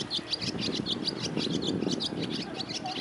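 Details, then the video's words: A barn swallow sings on 24 June 2023, a fast, continuous twitter of short, high chirps, several each second, over a steady low rumble of background noise. "Деревенская ласточка"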